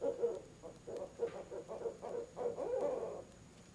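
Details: Barred owls at their nest box on an October evening, the mate chiming in: a run of low, hollow hoots that blur into a louder, rising flourish before fading.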